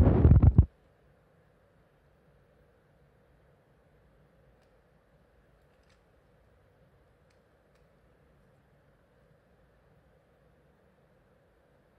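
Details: A brief rustling thump in the first second gives way to near silence with only a faint low hum.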